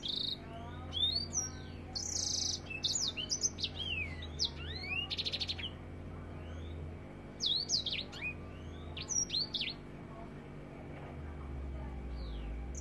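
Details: African finch delivering a busy tutoring song in the "nembak rapet" style: clusters of sharp chirps, short buzzy rattles and looping whistled notes come in spaced bursts over a faint low hum.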